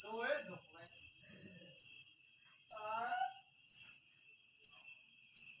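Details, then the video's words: Wiceh chick calling its parents, used to lure the adult birds: sharp high chirps repeated about once per second, with faint lower warbling from other birds in the background. "suara anakan wiceh buat manggil indukan"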